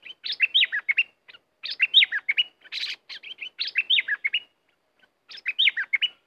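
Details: A caged red-whiskered bulbul, a fighting-spirited competition songbird, repeats bright, liquid, warbled phrases of four to six quick notes. It sings in bursts about every one to two seconds, with one rougher, harsher note midway and no other sounds.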